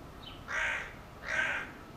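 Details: Two rasping, hoarse caws from a hooded crow, spaced under a second apart, against a faint steady background hiss.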